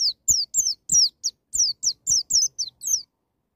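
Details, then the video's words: White-eye singing in wild style, used to provoke a young bird into singing: high, thin, descending whistled notes repeated rapidly, about three to four a second, each a quick downward slur. "BURUNG PLECI NGALAS NEMBAK,MEMICU PLECI BAHAN CEPAT NGALAS BUKA PARUH"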